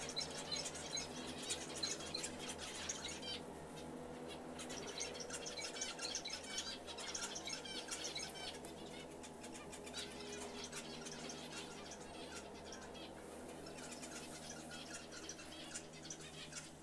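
A zebra finch sings a rapid string of nasal, buzzy, toy-trumpet notes.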